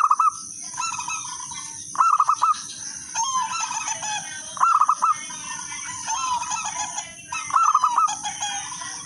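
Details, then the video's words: Zebra dove, local wild bird with a clear voice, singing as a lure: crisp rolling coo phrases roughly every two to three seconds, softer coos between, over continuous high hissing. "perkutut lokal alam gacor suara kristal irama merdu pancingan semua perkutut ikut manggung gacor"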